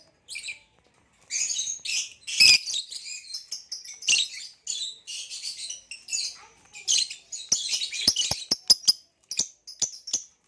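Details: Lilian's (Nyasa) lovebird and a green hybrid male, kept caged, singing loudly: long high twittering phrases of harsh squeaks, then a quick series of sharp clicks and short chirps toward the end.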